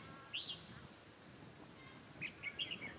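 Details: Red-whiskered bulbul of the Đinh lân Hầu Bò type with a heavy bib, a decoy bird singing at a trap to provoke rivals, recorded 7 January 2018: short, bright whistled chirps in two quick bursts over a faint hiss.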